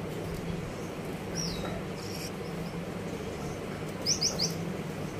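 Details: Captive Gouldian finch in a finch aviary: a high, thin downslurred call, then a rapid run of three sharp high chirps, set against constant low droning background noise.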